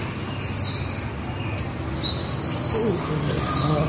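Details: Líu-type vocalizing from a female white-eye, made of sharp, high, falling whistles at the start and end with a fainter, wavering high trill in between, over low background rumble.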